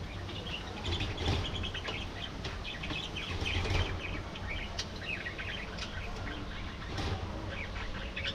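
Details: Many budgerigars kept together as a colony, giving a dense chorus of chattering warbles and quick chirps, punctuated by flapping wings, with a persistent low hum in the background.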